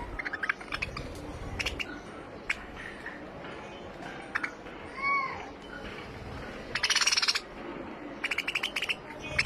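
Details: Finches giving short, sharp chirps scattered through the recording, with a brief rising double note midway and denser bursts of rapid high chirping toward the end, over a constant low background hiss.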